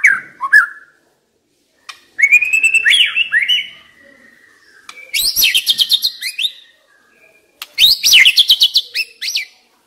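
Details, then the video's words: A white-rumped shama kept as a decoy sings rich phrases: a slurred whistle, then three bursts of buzzy, rapid trills mixed with clear whistles, separated by short silences. "Chòe lửa mồi hót cực hay"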